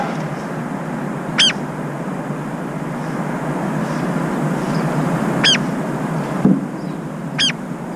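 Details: One of a brown-eared bulbul pair, which takes turns keeping watch while the other eats and bathes, gives three shrill, harsh calls a few seconds apart over a steady low rumble of distant traffic.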